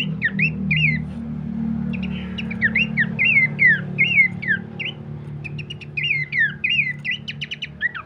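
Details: Horsfield's babbler singing, recorded as a lure and master for training birds: a long string of bright slurred whistles, each swooping down then up, with bursts of rapid ticks and a low hum beneath.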